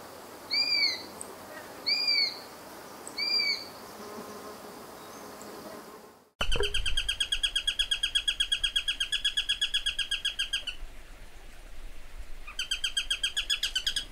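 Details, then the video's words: Eurasian sparrowhawk (Accipiter nisus): three short bursts of thin, squealing notes, then a fast, even chatter of sharp 'kew-kew-kew' calls, nearly three per second, pausing briefly before resuming. "Sparviere - Accipiter Nisus"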